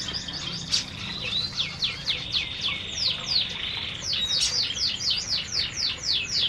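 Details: A flock of canaries eating in an aviary; runs of steeply falling high chirps repeated about four per second, with a thin sustained whistle behind them.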